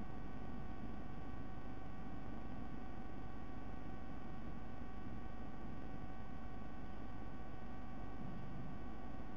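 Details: Steady electrical hum and static hiss, with no animal sound.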